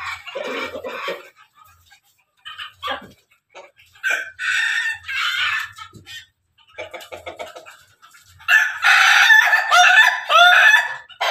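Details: Ayam Pelung and Ayam Ketawa roosters crowing together: broken, choppy crow bursts through the first half, then a long, loud, ragged crow with stuttering phrases from about eight seconds on.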